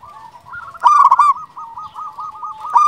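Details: Champion local zebra dove song: a sharp, ringing cluster of coos, then a steady rolling series of soft, rapid coo notes, ending in another loud burst.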